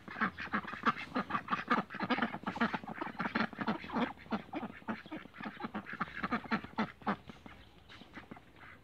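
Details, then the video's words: Cayuga ducks in a backyard flock, rapid overlapping quacking from several birds, dense and continuous for most of the stretch before tapering off near the end. "CAYUGA DUCKS BACKYARDS"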